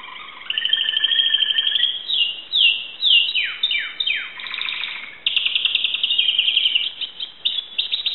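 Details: Timbrado canary from Greece in 2009, beginning with a soft tone, then steep descending slurs, a buzzy rattle and clipped repeated notes.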